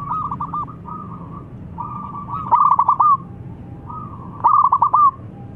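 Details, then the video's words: Local zebra dove calling and a rival answering at once: softer pulsed coo runs followed by two loud bubbly bursts of rapid descending notes, roughly two seconds apart, over low background hum. "PERKUTUT LOKAL GACOR MEMANGGIL SEKALI DENGAR LAWAN LANGSUNG NYAUT"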